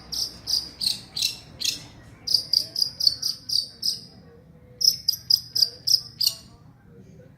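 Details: Long-tailed shrike imitating a lovebird with loud, shrill, screechy notes repeated in quick bursts of five to six, separated by short pauses, in a quiet setting.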